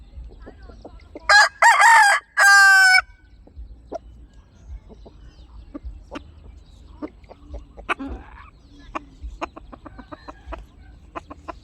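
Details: Chickens heard as a brief three-part rooster crow early on, then many soft clucks and sharp pecking-like clicks spread across the rest.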